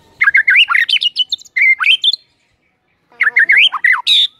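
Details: Singing white-rumped shama, a morning lure meant to make birds sing: loud, tumbling phrases of jumbled whistles and trills, a brief silence, then another rich warbled burst ending on a buzzy note.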